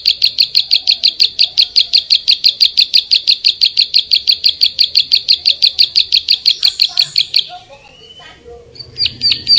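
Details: Sustained, metronome-like chipping from a Bar-winged prinia, high and sharp, about three notes per second for seven seconds, then a short quiet gap before the chirps resume; tutoring material for songbirds.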